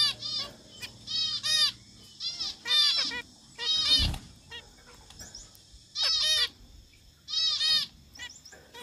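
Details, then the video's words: Zebra finch singing; a steady run of nasal, buzzy honking notes with rich harmonics, paired or grouped and repeated roughly every second, with a low knock midway and faint high chirps. "zebra finch singing"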